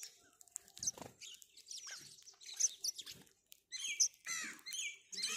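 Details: House sparrow calling with a quick, irregular series of sharp, high chirps, some sliding downward, in short bursts broken by brief pauses; faint low thuds underneath.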